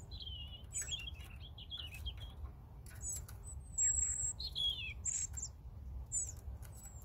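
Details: Song of a European robin: a quick twittering warble, then higher, louder fluting phrases with sharp downslurred notes and piercing high whistles, against a low background hum.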